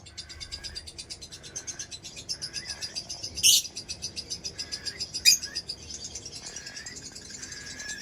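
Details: Lovebird making a steady fast rattling chatter of high pulsed notes, with two loud sharp squawks breaking through.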